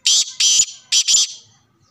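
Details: Black francolin calling: four loud, harsh, grating notes packed into about 1.3 seconds. Short and longer notes alternate, the second and fourth drawn out, and then there is silence with no other sounds.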